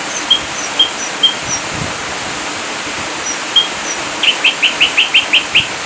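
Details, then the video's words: Ashy drongo in a masteran training recording, 'full tembakan' style: sparse, high, clipped whistles spaced irregularly, ending in a quick burst of about eight bright, repeated chirps. "Masteran Burung Sriguting Abu2 Full Tembakan"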